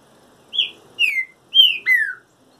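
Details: Four rich, downward-gliding whistles from a trinca-ferro singing during its moult, delivered as a quick even phrase in a quiet setting.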